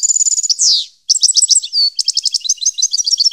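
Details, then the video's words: European goldfinch song recorded in 2015: a rapid, high twittering with steady repeated notes, a buzzy downward sweep, a brief pause, then a fast jumble of tinkling chirps and trills. "Goldfinch song 2015/ Canto Jilguero Parva 2015"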